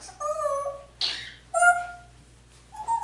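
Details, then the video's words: African grey parrot indoors, talking in Spanish, calling its mom and asking for turkey and chicken; two drawn-out, tonal, harmonic-rich utterances separated by a breathy hiss, then a short rising note at the end, over a faint steady low hum. "Grey talks in Spanish, asking for turkey and chicken"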